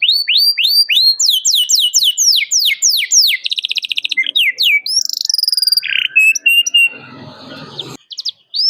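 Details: Energetic canary calling out to a rival, a lure for canaries learning song: quick repeated down-swept whistles, a buzzy trill, varied high chirps, then a brief rough noisy patch near the end.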